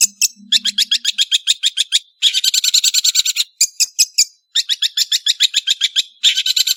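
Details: {'text': 'Energetic cendet (long-tailed shrike) song of rapid chattering notes in fast series, alternating with dense harsh rattles and short pauses, loud and high-pitched throughout.'}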